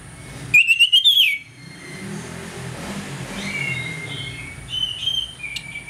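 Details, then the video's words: Orange-headed thrush singing in the ngeplong style in the morning, used as a lure to make other thrushes aggressive: a loud, half-second burst of rising whistled notes with harsh overtones, then a faint background of softer distant whistles. "ANIS MERAH NGEPLONG PAGI, PANCINGAN ANIS MERAH AGAR CEPAT EMOSI"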